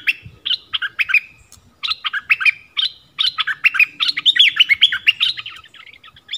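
Yellow-vented bulbul giving a rapid, bubbly run of bright chirping notes, rising and falling in quick clustered phrases with short pauses between them.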